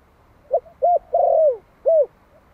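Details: One-year-old young Malai spotted dove, a decoy bird from Vietnam, calling to provoke wild doves: one phrase of soft mid-pitched hooting coos, a short stutter, two rounded notes and a long falling coo, over a quiet background.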